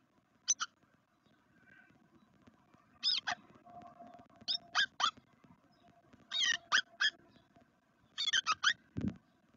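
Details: Black redstart at a nest in a garden in Veszprém, Hungary, on day 2 of the nest camera: short, sharp, high notes in clusters of two or three, every second or two, over a faint steady hum and a closing thump.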